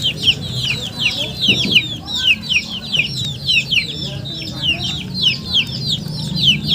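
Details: Shrill falling peeps from a group of chickens, repeated quickly and overlapping, with a soft low rumble in the background.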